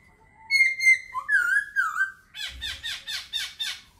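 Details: Laughingthrush song opening with a long clear whistle that wavers and dips, followed by a quick series of bright, buzzy, rising-falling notes repeated about five times. Quiet surroundings.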